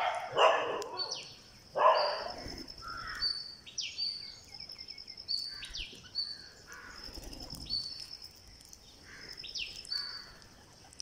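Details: Green parakeet during feeding on day 49: loud rasping begging calls in two strong bursts early on, then softer repeated scratchy chirps roughly every second, with high thin whistles running through.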